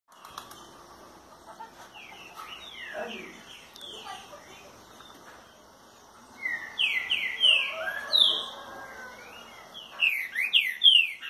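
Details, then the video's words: Green-winged saltator singing the curricutil boi style (trinca boiadeiro) on a Thursday at 6:30 in the morning. Faint scattered notes at first, then loud whistled phrases of slurred, falling and rising notes from midway on. "CURRICUTIL BOI muito bom"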